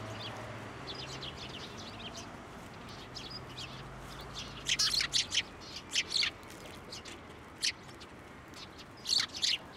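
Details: Sparrows gathering at a Tenmangū shrine on 15 January 2024, flying onto an outstretched hand for food; quiet at first, then scattered bright chirps in small clusters through the second half, with faint background hum.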